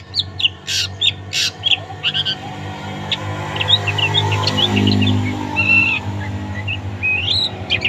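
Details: Long-tailed shrike song used as a tutor for other songbirds, so that reluctant birds answer and sing: varied short chirps, sharp whistled notes and harsh bursts, rising and falling, over a steady low hum.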